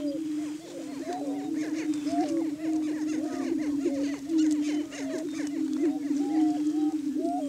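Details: Several Greater Prairie Chickens booming and cackling on a lek in Washington County, Kansas, a morning courtship display held March through May to establish breeding territory; a low steady moan under rapid, crowded hooked calls.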